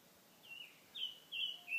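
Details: Bird song beside a babbling mountain stream: three short whistled phrases, each a level, slightly buzzy note followed by a slurred drop, spaced roughly half a second apart over faint steady background hiss.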